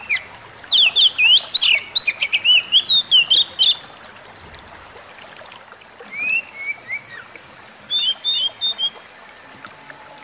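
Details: Oriental magpie-robin singing, played as therapy for a stressed kacer: a rapid run of varied twittering, slurred whistles and sharp clicks for about four seconds, then a pause and sparser whistled phrases.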